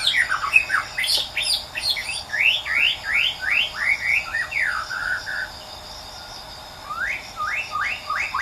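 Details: Wild white-rumped shama singing persistently in nature: a lively run of clear whistled notes, mostly rising upsweeps, fast and varied. It pauses briefly, then resumes with three more rising whistles over a steady background of insect trilling.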